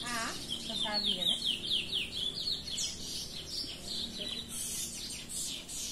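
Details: Free-singing chestnut-bellied seed finch (curió) in the Belém style: a low human voice opens, then a rapid string of bright, downslurred whistles, followed by softer, scattered high notes, with a continuous low background rumble.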